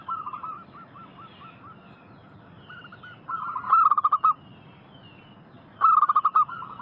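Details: Local zebra doves calling back and forth on a lure recording. Distant, broken cooing runs lead into two loud, fast series of pulsed coos near the end.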